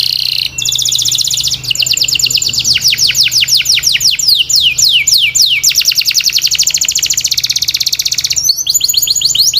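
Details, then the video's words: A canary sings continuously in bright, high trills, fast repeated notes and rapid descending sweeps in long rolling phrases over a faint low hum; a training song for pet canaries. "Canary Singing"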